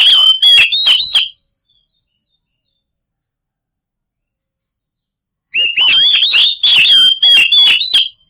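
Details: White-rumped shama lure song to make silent birds answer: a short burst of whistles and clicks, a silence of about four seconds, then a longer loud sequence of varied whistled warbles.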